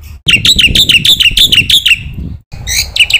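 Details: Black-winged myna training song intended to provoke other mynas: a lively series of bright, downslurred chirps repeated about three times a second, a short gap, then a few higher, sharper notes.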